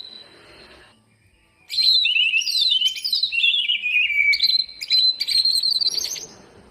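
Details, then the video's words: A greater green leafbird sings a full isian sequence to coax lazy birds into song. Pure whistled notes step down in tone, then clear high whistles are repeated rapidly toward the end. "burung cucak ijo full isian buat pancingan yang malas bunyi"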